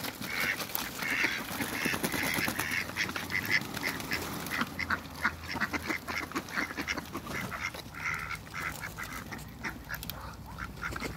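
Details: In a backyard, a Muscovy duck couple playing with water utter a run of short, soft calls, repeated roughly every half second, amid constant splashing and dripping.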